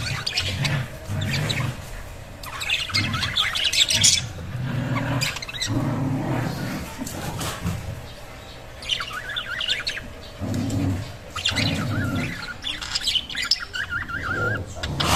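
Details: Budgerigars of several colour varieties, including yellow-and-green pied and blue opaline, chatter in quick bursts of bright, scratchy chirps and warbles, with a low rumble underneath.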